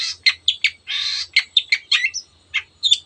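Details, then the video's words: Long-tailed shrike giving its 'teot teot' song to spur other birds into singing: clipped sharp notes, one longer rasping burst, then scattered chirps and a thin whistle, with a faint low hum beneath. "cendet gacor teot teot jadikan burung anda cepat emosi dan ikut gacor"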